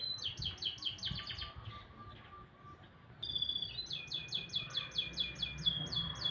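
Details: Canary singing tirelessly in the morning: a fast bout of repeated falling chips, a pause with a faint lower held tone, then a high whistle and another rhythmic series of bright downward-sweeping notes.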